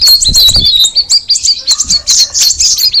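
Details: Straw-headed bulbul (cucak rawis) giving a short stretch of rapid, high, clear chirps and whistled slurs in quick succession.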